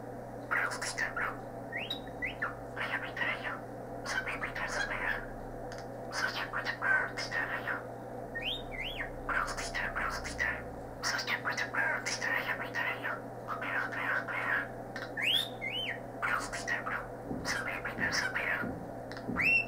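A cockatiel chatters in scratchy, speech-like bursts mixed with short rising whistles.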